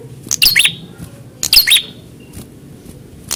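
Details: Prinia answering a rival in a fighting test: two brief bursts of sharp, high chirping notes a second apart, then quiet with a faint low hum.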